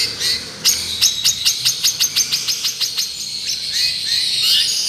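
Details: Long-tailed shrike song used as a lure: a fast run of sharp, evenly spaced high clicks and chips, about a dozen in under three seconds, then a thinner twittering warble trailing off.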